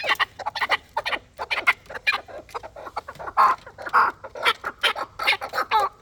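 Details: Chukar partridge of a fighting type uttering harsh, clucking chuk calls in irregular clusters, a few louder rasping notes near the middle.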